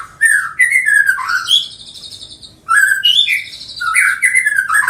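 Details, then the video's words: Six-month-old juvenile white-rumped shama of the Medan type, captive and colony-bred, eighth generation. Two loud phrases of rich whistled notes, sliding and warbled, each followed by high thin trills, with a pause between them. "Kicauan anakan MB umur 6 bulan"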